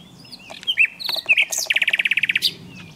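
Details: Common nightingale song opening with varied whistles and chirps, then breaking into a rapid, regular trill of about a dozen identical notes.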